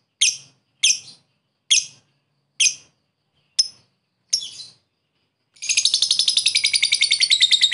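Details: Lovebird luring a rival: six separate high, harsh chirps spaced nearly a second apart, then a sudden, fast, continuous ngekek chattering trill.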